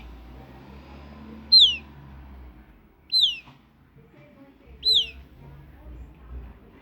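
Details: Young southern lapwing giving sharp, high, descending whistled peeps, three in a row roughly every one and a half seconds, clean and clear against a quiet background hum.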